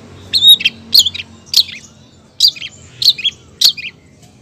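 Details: Female long-tailed shrike calling the male, repeating short squeaky chirps with sharp high onsets, about six in a row at a steady pace.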